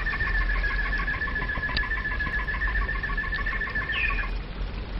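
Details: Domestic canary singing in flute style, a rapid string of short repeated notes on one pitch with a quick rising whistle near the end, against steady low background noise.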